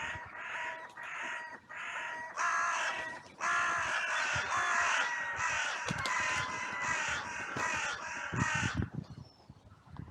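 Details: Crows rushing in from all directions after two of them fought in a sunny cemetery: a dense, ragged chorus of overlapping rasping caws, about 83 a minute, building and then breaking off near the end.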